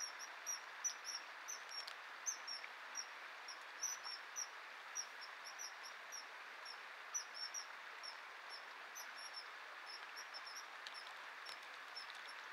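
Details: Common kingfisher pair during courtship: shrill, high, piercing notes repeated several times a second over rushing water; the female refuses the male's courtship fish, which he then eats himself, and she refuses to mate.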